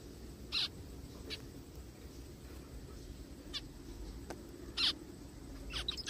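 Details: Zebra finch heard in a forest, giving short, harsh nasal calls; two loud bursts stand out near the start and middle, with fainter calls between, over a steady low background hum.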